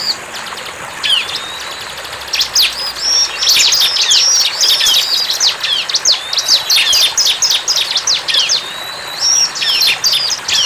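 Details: Wild bar-winged prinia singing: a few soft high notes at first, then an energetic, rapid series of sharp high chirps, about four per second, continuing to the end.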